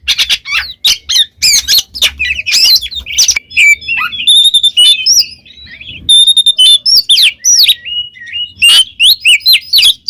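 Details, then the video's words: Oriental magpie-robin song used to train pet birds. Varied high, sharp notes and harsh chattering bursts are mixed with clear whistled phrases and rapid sweeps. "SUARA burung Kacer GACOR NGEPLONG paling ampuh"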